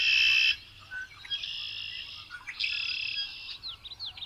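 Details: Red-winged blackbird opening with a loud, harsh buzzing trill of about half a second, then quieter buzzy phrases and short downslurred notes over a faint background hiss.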